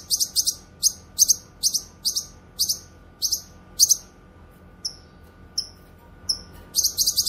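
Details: Grey-cheeked bulbul (cucak kinoy), used as tutor audio and lure: a steady series of piercing high double chirps about every half second, then four clean slurred whistles spaced apart, closing with a rapid chirp burst.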